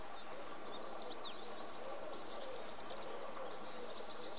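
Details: Singing European serin: two short upward-sweeping whistles, then a rapid, thin, sizzling jingle of densely packed high notes lasting over a second, with soft background noise.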